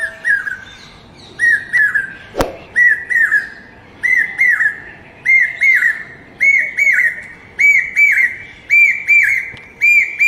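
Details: Common hawk-cuckoo, the brain fever bird, calling in a repeated series of shrill whistled phrases, each of two or three notes, rising slightly in pitch and growing louder as the series goes on, about one phrase per second, one sharp click midway.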